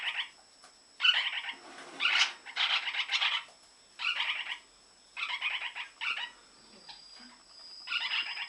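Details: Indoor Lineolated parakeet in breeding season gives a loud, continuous series of rough, buzzy chattering bursts, about one per second, some run together, over a faint steady hum.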